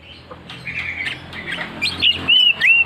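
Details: Oriental magpie-robin in ngeplong ngotot singing: harsh, scratchy notes at first, then a clear phrase of looping whistled notes at the end.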